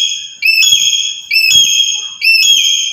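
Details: Black-capped lory kept as a trapping lure: a sustained, ringing whistled tone that steps upward in pitch, repeated three times in quick succession with brief dips between, bright and metallic.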